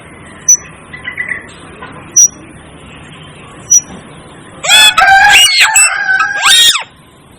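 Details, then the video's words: Asian glossy starling (Aplonis panayensis, cucak keling): three sharp short whistles spaced about 1.6 seconds apart, then a loud two-second burst of harsh, ringing, overlapping squeals and rising and falling notes. "Asian Glossy Starling Calls Aplonis Panayensis"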